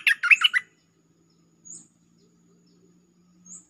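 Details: Bulbul lure song opening with a quick burst of four or five bubbly, warbling notes, then near silence broken by two faint high thin notes.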